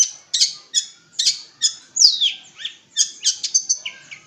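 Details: Long-tailed shrike of East Java in rapid, varied song: harsh chattering notes mixed with a descending slurred whistle and quick twittering phrases, loud and continuous.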